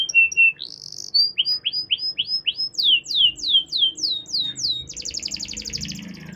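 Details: Canary long song used to prompt other canaries to sing: varied whistled notes, then a series of descending swept notes, ending in a fast buzzy trill.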